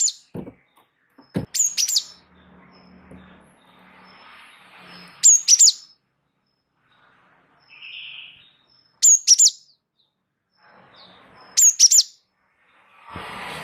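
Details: Java sparrow of the wingko type, singing in a rolling style as a tutor recording: four short groups of high, piercing chips, spaced roughly three to four seconds apart, with faint rustling and a brief low hum between phrases.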